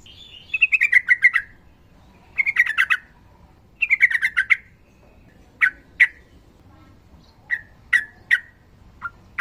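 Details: Sooty-headed bulbul singing in fighting mode: three buzzy descending chattering bursts about every one and a half seconds, then sharp single clipped notes spaced through the rest.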